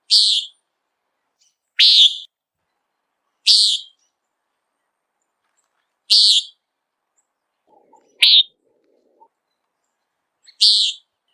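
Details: A Common Nighthawk in flight hunting insects gives six harsh, nasal, buzzy peent notes, one roughly every two seconds, against an otherwise quiet background.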